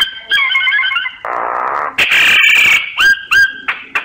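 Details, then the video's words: Myna lure sound for surveying birds: chattering warbled notes, a low buzzing rasp, a harsh screech, then several sharp downslurred whistles. "Tiếng chim sáo, Tiếng Chim Sáo mồi, kích bổi."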